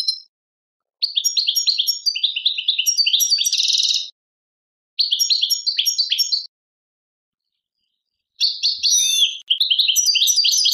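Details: Algerian European goldfinch, tadmait song style: long runs of rapid, high, liquid twitters and buzzy trills, each phrase lasting several seconds, split by silent gaps of about one to two seconds.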